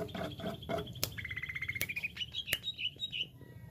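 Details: Greater green leafbird in jamtrok style: soft chips lead into a smooth series of quick repeated notes gliding upward in pitch, ending in higher warbled notes, with a few loud clicks.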